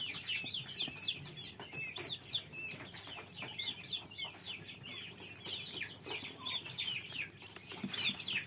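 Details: Quail chicks keep up a rapid, high-pitched peeping, with several very sharp, piercing squeaks early on among the softer bending chirps, and light scratching noises throughout.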